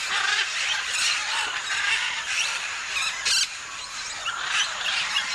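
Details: Noisy flock of macaws (scarlet and blue-and-gold) at the Tambopata clay licks: harsh, raucous overlapping squawks in a continuous chorus, with sharper screeches breaking through every second or so.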